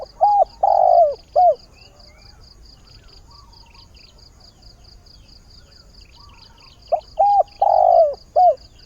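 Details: Decoy spotted dove calling for a partner in the early morning: two low, mellow coo phrases about six seconds apart, each short-long-longer-falling, while a regular high-pitched ticking pulses throughout.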